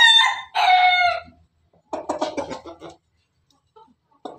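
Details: Pelung chicken crow: the tail of a loud harmonic crow ending with a falling note, followed by a burst of quick clucks and a few soft notes.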